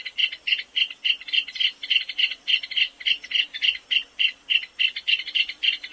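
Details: Small, plump, shy South American rail of drier habitats, giving its trilled song: a steady run of clicking, tinkling notes, about three to four per second, slightly stuttering throughout.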